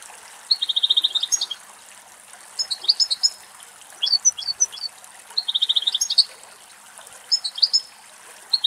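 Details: European goldfinches, two adult males, drinking and bathing at a forest bird pool in Greece during hot summer weather; bright chirps alternate with short rapid trills repeated every couple of seconds.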